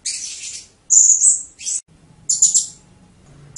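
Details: Blue-crowned hanging parrot (serindit) song in the 'teler' style, from a compilation that also features cililin. Sharp, shrill, very high chirps and a thin sustained whistle come in short separated bursts over faint low background hum.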